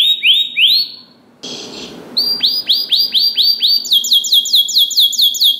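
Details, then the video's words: Canary singing as a training recording for other canaries: rising whistled notes, a burst of noise, then repeated upswept whistles roughly three per second and a faster series of high notes. "MASTERAN KENARI GACOR !! DENGAR SUARA KENARI DI JAMIN KENARI ANDA NYAUT SEKETIKA || Voice of Canary"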